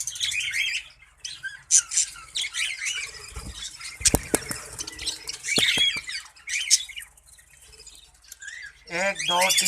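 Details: Budgerigars in a breeding colony: many birds chattering at once with dense overlapping warbles, chirps and squawks, a few sharp knocks and thumps midway, and a louder harmonic squawk rising near the end.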